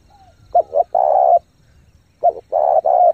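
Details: Spotted dove in fast cooing used to stir decoy birds and coach untrained ones: two hollow three-part phrases of brief double notes and an extended level coo, a faint whistle at the start.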